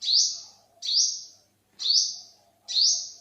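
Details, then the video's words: Olive-backed sunbird, also called yellow-bellied sunbird, recorded in 2021: four high, sharp notes, each starting with a quick upward sweep and levelling into a thin whistle, spaced nearly a second apart. "เสียงนกกินปลีอกเหลือง Olive-backed sunbird, Yellow-bellied sunbird"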